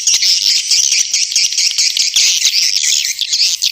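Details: Swiftlet calls, a dense stream of rapid high chirps and twitters with no pauses.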